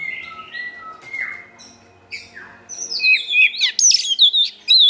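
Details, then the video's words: A white-rumped shama serves as a singing tutor for a selected shama, to give it a varied song. Long, even whistles give way to a quick burst of high, sweeping, upslurred notes near the end. "NÀI CHÒE LỬA | Đào tạo THANH cho lửa chuyền"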